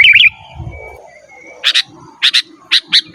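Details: Lively sooty-headed bulbul song meant to call wild birds and to train caged ones: a short warbled phrase, then a pause and sharp chattering double notes repeated about every half second, over faint low background noise.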